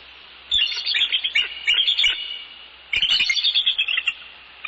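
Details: Wild bald eagle pair at their nest in northeast Florida on an evening in mid-January 2019, male and female greeting each other while working on the nest; two loud bursts of high, squeaky chittering notes, quiet between them.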